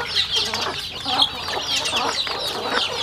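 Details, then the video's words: Chickens kept at a rural home while eating: overlapping shrill peeps rise and fall over brisk pecking taps, a busy and unbroken flock chatter. "Yummy sounds chicken eating"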